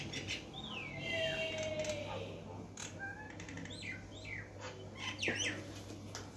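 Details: Myna calling from a window ledge: a long whistle sliding downward, then scattered clicks and short, quickly falling whistled notes, over a constant low electrical hum.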